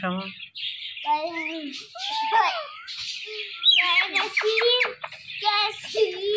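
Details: Pet Indian ringneck parrot chattering in mimicked speech: jumbled, nasal, voice-like phrases with sliding overtones and clicks, continuous over several seconds indoors.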